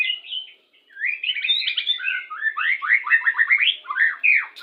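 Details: Clear white-rumped shama song, played when pairing birds to bring on breeding condition: flowing whistled phrases that swoop up and down, broken by rapid rattling trills, with a quiet background.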